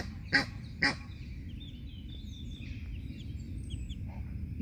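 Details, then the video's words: Egyptian goose with two goslings beside a small park pond in Wiesbaden, Germany, scolding an approaching person: two sharp, loud honks half a second apart, followed by low background rumble and scattered thin bird notes. "Am fost certat de Gasca de Nil."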